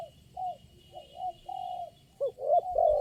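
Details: Spotted dove at a lure-bird trapping site, a single wild bird answering keenly: soft hollow coos in short two- and three-part phrases, ending with louder, fuller notes, over faint low background noise.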